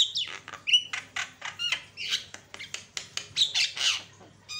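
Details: Javan myna song played as a lure to stir up and provoke other mynas: a fast, busy run of harsh squawks, raspy chatter and short whistled notes, packed tightly with hardly a pause. A steady low hum runs beneath.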